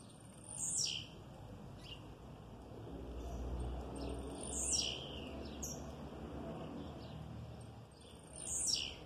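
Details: Captive male blue-black grassquit singing in an aviary beside his female: short, high, buzzy 'tiziu' phrases about every four seconds, faint extra chirps between, over a steady high hum and low rumble.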